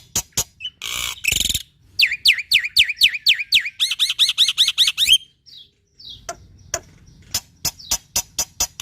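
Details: Black-winged myna in full song to coax quiet mynas into singing: sharp clicks and a harsh burst, then a fast series of about a dozen repeated swooping whistles, a pause, and more scattered clicks.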